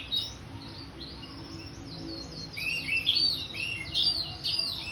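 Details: Orange-headed thrush, a kept songbird, giving a full, lively song of rapid high chirps and short slurred phrases that build in strength and density toward the end, with a faint low hum behind.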